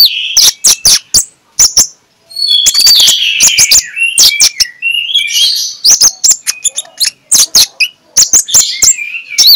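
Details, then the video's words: Oriental magpie-robin singing in ngeplong style, used in the morning to coax reluctant magpie-robins into song. Bursts of fast sharp clicks alternate with warbled whistled phrases, repeating over several seconds. "PIKAT Konin Lelet jadi NGOBRA, Menggunakan Suara KONIN Ngeplong"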